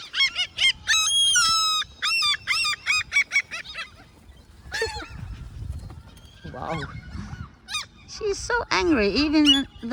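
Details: A mother gull, whose chicks are on the ground in a school yard, gives loud, harsh, repeated alarm calls in quick bursts with laughing cries, angrily chasing people away, while a person talks in the background.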